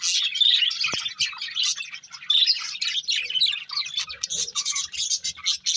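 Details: Budgerigars from a breeding pair chatter in rapid, raspy high chirps and twitters that run almost without pause, with one sharp click near the start.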